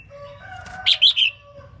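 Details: Short burst of bright, rapid chirped notes from a female red-whiskered bulbul singing to stimulate males, with faint steady tones underneath.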